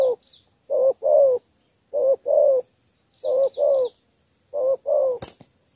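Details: Caged spotted dove used as a lure for wild doves, cooing in a three-note style: four paired phrases of a short note then a longer one, each pair about one second apart, small birds chirping high above.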